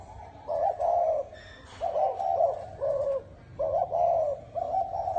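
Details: Spotted dove cooing in the bronze-bell (chuông đồng) style, meant to excite males and females: a run of low, pulsing coo notes in paired bursts, about six phrases, with light background rustling.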